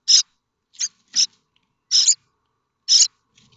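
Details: Starling chicks in a nest at Théding, France, in early May 2024, begging for food from parents: five short, harsh, hissing rasps with uneven gaps between them.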